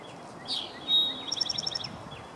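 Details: An Eastern towhee singing in Columbia, South Carolina, USA, on 7 April 2017 gives its 'drink-your-tea' song: a short high note, a steady whistle, then a quick bright trill of about seven notes, over faint hiss.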